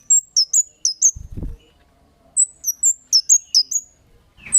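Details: Kemade bird giving lure calls meant to provoke other birds to answer: very high, sharp, downslurred chirps in quick bursts of three to five, with a brief low thump between bursts.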